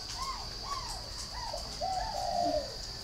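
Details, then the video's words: Spotted dove cooing: a series of soft arched coos, the last drawn out and wavering, against a steady high whine and low background noise. "cu gáy hậu 1"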